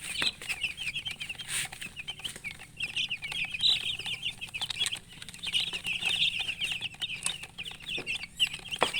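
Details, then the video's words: Chicken chicks alongside a murgi hen give a busy chorus of high, thin chirps, many overlapping peeps in quick succession with no pause, plus occasional soft scratching and rustling noises. "silly chicken chirping sounds with murgi hen color chicken"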